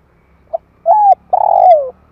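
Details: Spotted dove, 2021 recording used to excite decoys and train young birds: a brief soft note, a level arched coo, then a long rough croon sliding downward.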